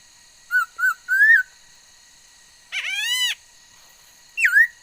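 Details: A singing female laughingthrush, recorded 13 August 2021 and said to make many kinds of sounds, gives two short whistles and a rising slur, then a long harsh nasal note, then one more upslurred whistle.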